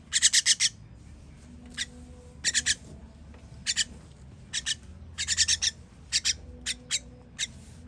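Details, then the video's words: Chicks begging while fed, 21.06.23: an opening volley of harsh rasps, then scattered pairs and a later cluster of hissing notes, irregularly spaced, above quiet low background noise. "Baby bird baby bird feeding"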